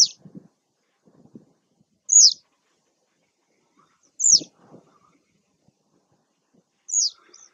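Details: Taglio di Po (RO), 2 May 2021: a citrine wagtail gives four clean, piercing calls, each a quick high note dropping in pitch, roughly every two seconds, with faint low knocks in between.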